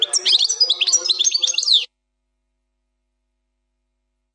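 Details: A European goldfinch sings a short plak mine phrase without errors: under two seconds of bright, rapidly tumbling high notes, then silence.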